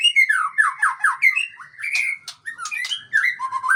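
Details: Tough male white-rumped shama of the Murai Aceh type delivering fast, loud song: a string of downslurred whistles at first, then mixed chirps, buzzy notes and rising whistles.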